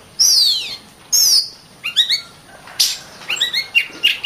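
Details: Oriental magpie-robin song for masteran training of other birds: two long high whistles sliding downward, then clusters of short, stacked rising chirps and a brief rasping burst, delivered in uneven, broken rhythm.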